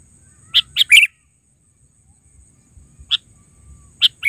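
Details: Sooty-headed bulbul with a quick run of four sharp chirps, then single scattered notes after a pause, in otherwise quiet surroundings.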